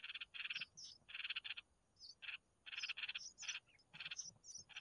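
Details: Mother red-whiskered bulbul feeding her chicks; the young give grating, buzzy rasps in quick pulsed groups, mixed with several short, high, thin chips between the bursts.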